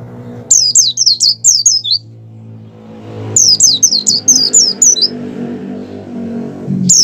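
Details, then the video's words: Oriental white-eye in breeding condition singing as a lure for captive white-eyes: two rapid bursts of high, sharp, downslurred whistled notes about three seconds apart, with low rumbling hum and faint engine-like noise beneath. "pleci over birahi ngalas mempercepat pleci buka paruh dan pleci gacor| suara burung"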